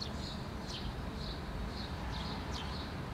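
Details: House sparrows, a parent and two young fledglings, foraging on rocky ground in Helsinki, Finland, June 2013: about six short high chirps, some sliding down, over a continuous low background rumble.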